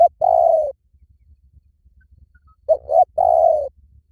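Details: Spotted dove cooing, used as a lure: a long, mellow, slightly falling coo, then after a pause two clipped coos leading into another drawn-out croon. Each note is low and soft, with near silence between phrases.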